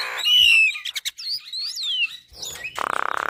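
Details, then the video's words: Javan myna singing for caged-bird training: a clear whistled note, then several sliding whistles rising and falling, followed by a harsh, rapidly pulsed buzzy rattle at the end. "Kicauan Jalak Gacor Suara Khas Jalak Kebo Full Isian Untuk Masteran Jalak Gacor"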